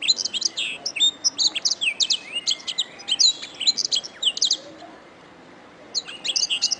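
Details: Canary song: rapid high-pitched trills and sharp chirps in quick succession, a short pause, then more fast trilled notes.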